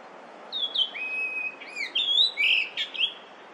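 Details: Fine song of a yellow-billed grosbeak, a Korean summer visitor, recorded early May 2024: a run of clear whistled notes, level and slurred, rising and falling in a flowing phrase of about eight elements.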